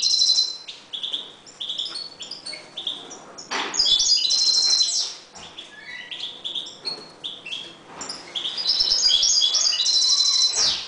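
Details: European goldfinches breeding in a 1.20 m cage; an energetic jangling song of high chirps, sharp clicks and rising whistles in several loud bursts with short quieter gaps.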